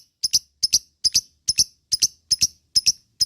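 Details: Lovebird giving sharp high ticking notes in close pairs, each pair repeated about every 0.4 seconds in a steady rhythm, with quiet pauses between.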